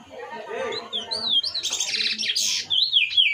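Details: Chestnut-bellied seed finch (curió) singing in the mateiro style, described as very fiery, used to warm up another curió; low murmuring first, then clear whistled rising-and-falling notes and buzzy bursts above them.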